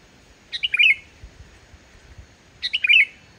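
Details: Pure, vigorous sooty-headed bulbul song used as a lure for reluctant singers: two rich warbling phrases, each a cluster of tumbling whistled notes dropping in pitch, about two seconds apart, with faint low rustling between.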